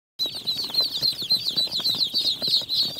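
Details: Newly hatched Jumbo Pekin ducklings in an incubator on day 28, a brood peeping together in a dense, continuous chorus of high, quick chirps with faint low rustling beneath.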